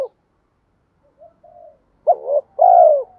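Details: A spotted dove's lure call. Quiet, soft murmuring notes lead into one loud hoarse phrase: a brief throaty note followed by a long, rolling coo that falls away at the end.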